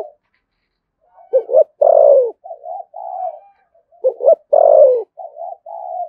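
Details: Spotted dove from Đồng Nai, Vietnam, in the local 'giọng thổ sấm' voice style with 'thúc gù' cooing. Two phrases, each a couple of short low hoots then a long, resonant, downward-sliding coo. Softer murmured coos follow each phrase.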